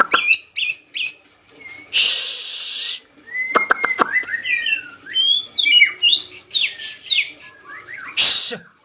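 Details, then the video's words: Medan-type white-rumped shama in full, energetic song: quick clicks and two harsh hissing bursts, then a run of sliding whistles and bright, high, varied notes. "burung murai medan gacor"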